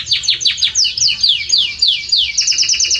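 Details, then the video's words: Belgian canary singing strongly: rapid descending chirps repeated several times per second, forming a continuous bright, bubbling phrase. "Canto forte e muito quente deste Espetacular Canário Belga | Canary Singing"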